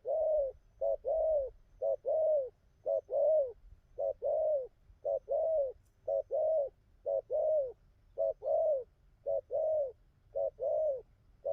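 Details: Newly wild-caught spotted dove cooing well, a long even sequence of soft low coos in short-long pairs, repeated steadily about once a second in a quiet setting.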